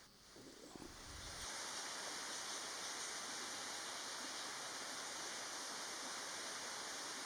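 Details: Steady rushing water like a stream or waterfall, after a few low thumps at the start, with no animal calls audible.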